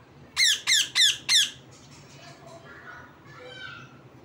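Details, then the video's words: Parrot squawking four times in an even rhythm, each chirp shrill and descending, after which only faint, scratchy low-level sounds remain. "Parrot Chirping Sounds | Natural Parrot Sounds | Parrot Calling Sounds"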